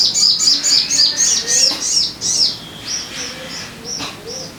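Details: Sogon bird singing as a lure for caged birds: a dense, rapid stream of high bright chirps that slows into spaced, softer whistled notes.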